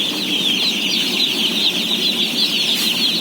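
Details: Thousands of day-old chicks peeping at feeding time, about 17,000 in all. An intense, shrill chorus of overlapping high chirps, steady and loud from start to end, over a faint low hum.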